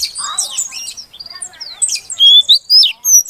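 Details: Female Oriental magpie-robin calling to prompt a silent male into song: scattered high squeaky notes, then loud clear whistles rising and falling in short bursts near the end, with a faint low murmur early on.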